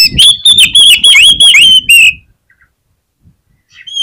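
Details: Oriental magpie-robin in full, persistent song, used to spur other magpie-robins into singing quickly: loud, shrill, whistled phrases with rapid rising and falling notes packed about three per second for two seconds, then near silence and a faint final note.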